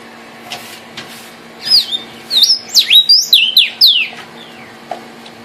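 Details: Vermilion cardinal, the cardenal guajiro rojo, delivering a rapid burst of sharp whistled notes, each a steep downward slur, packed together for about two seconds after a few soft clicks; faint steady hum beneath.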